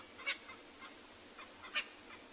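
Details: Francolins call from across a riverbed at late-afternoon sunset, 3 August 2020, Tswalu Kalahari Reserve, South Africa: two distant harsh, scratchy bursts about 1.5 seconds apart, fainter calls between, over soft hiss.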